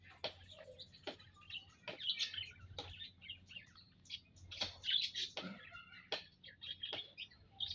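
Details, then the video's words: Flock of munias in an aviary on Saturday, 19 April 2025, giving a busy chorus of short high chirps and twittering notes, overlapping at once, with sharp clicks and knocks breaking in every second or so. "Kumpulan Burung - Burung Emprit"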